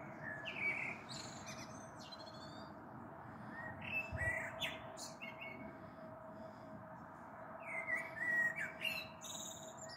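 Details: Blackbird song on the evening of 21 April 2022, recorded from a balcony as bad weather may be moving in; several warbled phrases spaced a few seconds apart, each ending in thin high twittering.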